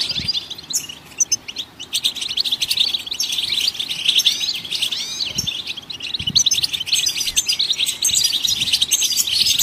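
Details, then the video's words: Several goldfinches sing overlapping, almost nonstop, fast bright twittering songs of tinkling, canary-like notes. "Vocal Support for Goldfinches birds"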